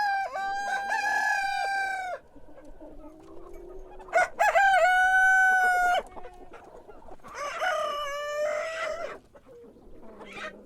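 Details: Morning cock crows in sequence, three long harmonic calls of about two seconds each with short pauses, some overlapping from different birds, soft clucks in the gaps.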